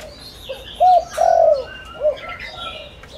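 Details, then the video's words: Lure spotted dove, a bird of rural fields, cooing to call in wild doves; a single phrase of a quiet opening note, a strong hoot, a drawn-out descending coo and a short closing note, small birds chirping faintly. "Tiếng cu gáy mồi đất gáy gọi kích bổi cực nhạy"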